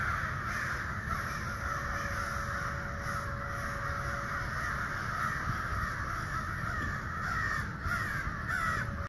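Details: Hundreds of ravens calling in the distance, sounding for hours after total silence; a thick, continuous chorus of harsh overlapping calls with a faint steady tone partway through and a low rumble underneath.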